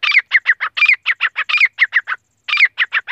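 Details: Female grey francolin (teetar) calling non-stop in India, used for hunting: loud, harsh, rapidly repeated notes in quick runs, each note slurring downward, with a short pause before the series resumes; no other sounds.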